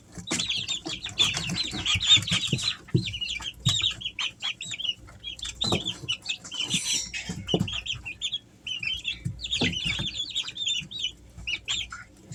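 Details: Easter Egger chicks aged three weeks, kept at home in summer, keep up a steady chorus of high, wavering peeps, many birds calling together, with scratching and small knocks.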